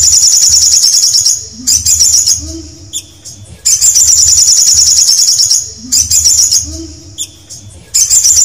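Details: Canary repeating bursts of rapid, shrill trills, with quieter gaps between them holding a short high whistle and faint low tones.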